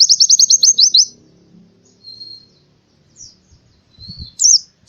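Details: Oriental white-eye heard in the morning: a fast run of about eight high, evenly repeated notes, a quiet gap with a faint thin whistle, then one short high twitter; soft thuds near the end.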